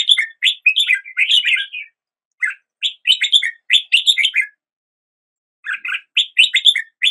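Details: Morning song of a red-whiskered bulbul, a string of lively liquid whistled notes that swoop up and down, grouped in short rapid phrases with a pause of several seconds before the singing resumes.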